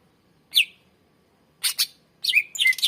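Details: Greater green leafbird song, a 'gacor' singer used to train other birds: a single sharp downslurred chirp, then scratchy bursts and a ringing whistled phrase, over a soft background hiss.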